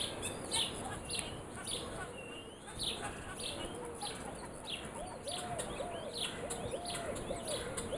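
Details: Morning birdsong: a busy chorus of short, bright chirps and twitters overlapping throughout, with a lower warbling phrase repeated near the end over steady background hiss.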